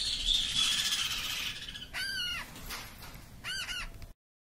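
A two-week-old Meyer's parrot chick gives a long hissing rasp, then several short, arched, nasal squeals in quick pairs.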